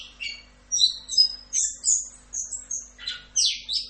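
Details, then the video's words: Masteran recording of an orange-headed thrush (anis kembang) in full 'rock'n roll' style, giving short sharp whistled phrases about every half second, some clear and rising, others harsh and buzzy, over a faint electrical hum. "MASTERAN ANIS KEMBANG FULL Rock'n Roll"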